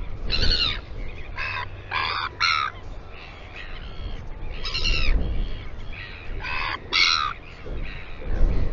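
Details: Royal albatross at the Taiaroa Head colony near Dunedin, New Zealand, giving hoarse, harmonic braying calls in bursts about half a second long, over a steady low rumble of wind.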